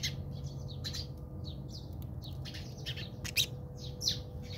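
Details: House sparrows squabbling in a South African backyard, giving quick, harsh chirps in uneven bursts, some overlapping, with a couple of louder notes near the end; a constant low drone runs underneath.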